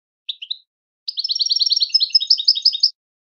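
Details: Song-training recording of a European goldfinch: two brief chirps, a pause, then a long rapid sequence of bright tinkling notes, about three per second, in a quiet setting.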